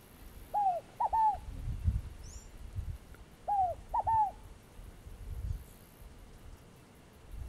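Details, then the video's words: Fogo-apagou, or scaled dove, calling twice: a soft descending hoot, then a pair of rapid downslurred notes, about three seconds between phrases. A brief faint high chirp comes between them, over quiet low background rumble. "Fogo-apagou - Ave"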